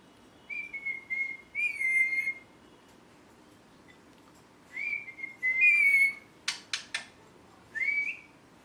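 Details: Pet ringneck parrot indoors giving clear, slightly wavering whistles in short phrases, some held and bending upward, plus a few sharp clicks, with pauses between. A person says "me too" before and after.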